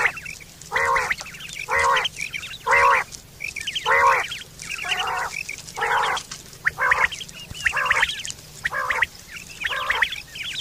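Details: Morning calls of quail (batair): a long series of rough, grating bursts at roughly one-second intervals, some fuller and louder, with faint chirps between and a low constant hum behind.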